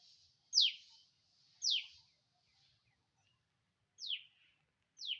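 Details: In the morning, a bird gives sharp, high, downward-sweeping chirps, four in five seconds at an uneven pace, over a faint high twittering in a quiet background.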